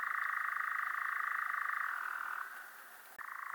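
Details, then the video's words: Rapid mechanical trill of a European Nightjar, steady at first, then sliding lower and fading. A short pause follows before the churring bursts back at full strength. "European Nightjar"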